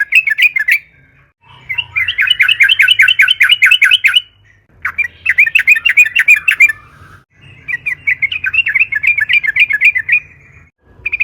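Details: Yellow-vented Bulbul (trucukan) in intense 'narung' song, a lure to make other trucukan sing: several long runs of fast, gurgling, chattering notes with short gaps, steady and loud throughout.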